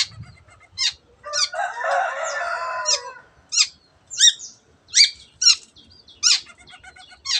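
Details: Long-tailed shrike singing a mimicked repertoire that includes canary and other birds. Sharp, high, separate notes frame a longer harsh, rasping, buzzy passage, followed by more spaced piercing chips and squeaks.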